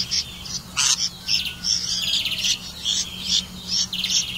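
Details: Red-vented bulbul feeding crickets to its young: bright, scratchy high chirps come in uneven clusters, some sharp and clipped, others slightly drawn out, with a soft low hum in the background.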